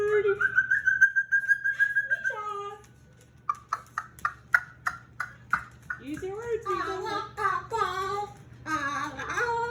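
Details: Male Moluccan cockatoo, a pet being extra talkative in the evening before bed in June 2020: a long level whistle, then a run of short clipped notes about three a second, then warbling speech-like chatter mixed with a person talking.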